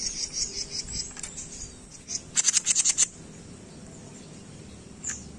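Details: Jenggot bird, a training recording for songbirds: rapid high chirping notes, a burst of about eight sharp piercing chips around two and a half seconds, then a lone chip near the end, over faint background hiss.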